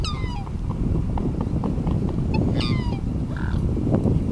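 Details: Black swan on the Rhine at a reservoir on the Swiss–German border giving a few short, slightly falling, harmonic bugling notes at the start and again near the middle, against heavy low rushing water noise.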